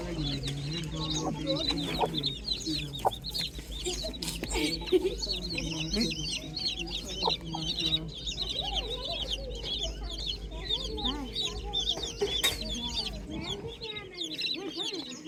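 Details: Chicks chirping on a farm in the morning: a dense chorus of high, thin, downward-slurred peeps repeating constantly, over lower soft clucking and a steady low hum.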